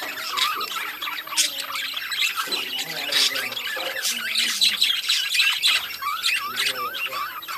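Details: Breeding colony of budgerigars in loud, dense chatter: harsh squawks, rapid chirps and nasal wavering warbles overlapping throughout, many birds calling together.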